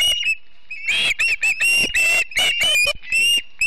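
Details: September morning at a Montana osprey nest near Charlo: loud, high, piercing whistled squeals in short bursts, some sliding upward, repeated with brief gaps, close to the nest camera.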